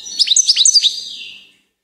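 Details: A brief goldfinch twitter: a tight cluster of high, sliding chirps lasting about a second, fading away into silence.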